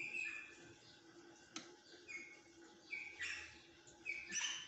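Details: Rosella giving scattered short whistled chirps, some rising and some falling, spaced about a second apart, with one sharp click and low background hum.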